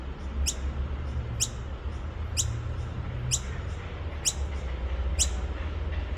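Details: Baby noisy miner by Petrie Creek, Nambour, repeating thin, sharply falling squeals about once a second, some with fainter echoing notes, against a low background drone.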